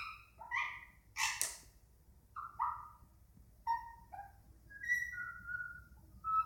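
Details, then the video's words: Pet Indian ringneck parakeet indoors making strange chattering noises instead of talking: scattered short whistled and nasal notes, some sliding downward, irregular bursts with quiet gaps between. "Indian Ringneck making noises"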